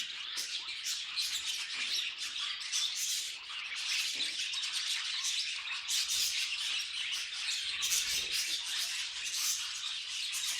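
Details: Budgerigars kept as pets give a lively mix of sharp chirps, squeaky notes and raspy squawks, rising and falling in quick irregular bursts.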